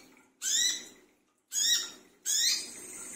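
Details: Brown-throated sunbird at midnight, lure sound: three drawn-out, harsh rasping notes, each with a rising whistled sweep, spaced under a second apart.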